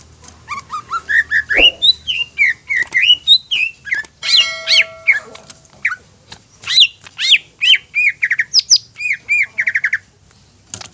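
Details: Greater green leafbird singing a varied, lively run of short whistled and slurred notes, rising and falling, with brief buzzy and harsh phrases mixed in; one steady thin whistle midway, quiet background.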